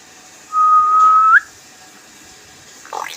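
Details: Pet talking hill myna in Bangladesh, said to call people by name; gives a single steady whistle of about one second that ends in a short upward flick, followed by quiet background and a brief noisy rustle.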